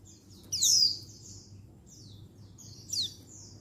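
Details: Female Oriental white-eye of the untulan kind, tame and settled, calling males as a stimulant for wild-caught birds; two drawn-out, buzzy, high downslurred calls with a fainter note between.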